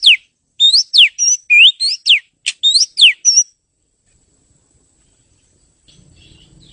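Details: Oriental magpie-robin singing a fast series of upswept and downswept whistles with short level notes, then falling silent apart from faint low rustling and a final high note.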